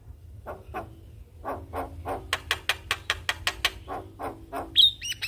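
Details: Javan myna (jalak kebo) in full song, a series of harsh rasping notes building into rapid repeated buzzy bursts, with a low steady hum in the background.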